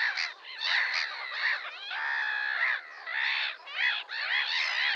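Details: Red-crested pochard giving loud, harsh, drawn-out nasal squawks with rich harmonics, in overlapping bursts broken by brief pauses, several birds calling together.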